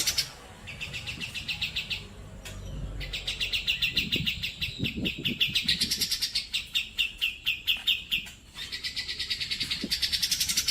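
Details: Grey-cheeked bulbul, a training recording for pet birds. It opens with a short trill, then gives long strings of clipped, buzzy notes at several pitch levels with a few brief pauses. Soft low knocks sound in the background.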